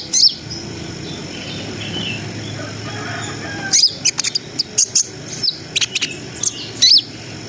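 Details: Brown-throated sunbird in energetic 'ngriwik nembak' song, played to raise breeding arousal: isolated shrill high chips, then a loose cluster of sharp ticking notes after a quiet pause, over a soft background hum.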